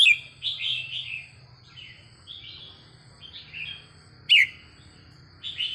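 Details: Red-whiskered bulbul, training recording: a series of mellow warbled phrases broken by one sharp, loud downward-sweeping note, with a steady faint high hum behind.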